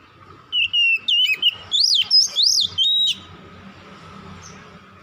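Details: Oriental magpie-robin at dusk giving a quick string of about eight loud whistled notes, some swooping sharply up and down, then quiet with faint background hum.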